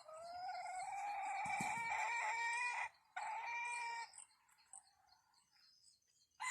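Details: Red junglefowl crowing during a decoy trapping outing in forest where a live wild bird was netted. A long harmonic crow of almost three seconds, steady then slightly falling, is followed by a shorter second crow, then near silence with faint insects.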